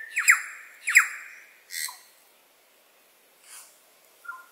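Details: New Zealand bellbird in early spring, Maungakotukutuku Valley, gives two loud, harsh, rasping notes about a second apart, then softer scratchy calls and a brief clear tone at the end.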